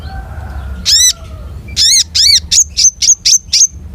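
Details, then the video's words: Long-tailed shrike, locally konin, in lively rich song: a few high arched whistled notes, then a rapid run of six sharp, clipped chips rising to a piercing pitch. "SUARA KONIN GACOR MATERI MEWAH"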